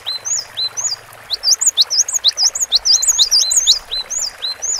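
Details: Energetic cinereous tit song: quick series of rising whistled notes alternating with high slurred ones, around two per second, opening and closing with slower falling two-note phrases.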